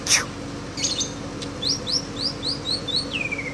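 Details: White-rumped shama from Aceh singing a canary-like phrase: a run of about seven short, high, upslurred chirps followed by a long descending whistle, over a steady low hum, with a sharp click at the start.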